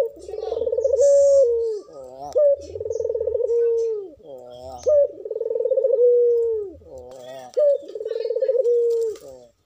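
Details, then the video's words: Local Madura dove kept for contests, in breeding condition, cooing steadily: four long vibrating low coos, each closing on a held tone and separated by brief warbling notes, with quiet low thuds beneath. "puter GACOR full birahi pancinagn puter agar BUNYI"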